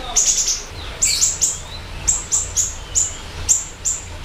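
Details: Actively singing siri-siri bird, recorded for luring and training other birds; high, quick chirps about once a second, with a few lower sliding notes, over a soft rumble.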